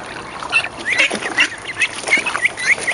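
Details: Young mallard ducklings, 29 days old, raised in a school courtyard in spring 2012 where the hen nests each year and is given food and a swimming area. They give a steady run of short, high, rising peeps, several each second, over a faint hiss.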